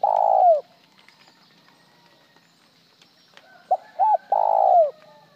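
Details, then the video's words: Spotted dove cooing: the tail of one long rolling coo, a pause of nearly three seconds, then a full phrase of short note, double note and long coo falling at the end. "Tiếng chim cu gáy gọi một hậu lỡ , lúc một hậu lúc trơn"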